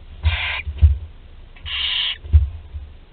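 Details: Barn owl nestlings at Théding, France, on 20 July 2020, the 13-day-old able to swallow whole prey: two rasping hissed screeches, the second longer, with dull knocks and low rumble between.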